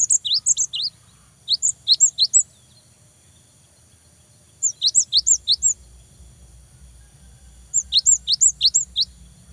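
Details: Cinereous tit singing tirelessly to incite rival birds: three separate phrases of quick paired whistles, each rising note capped by a higher sharp one, separated by gaps of one to two seconds, with faint low hum.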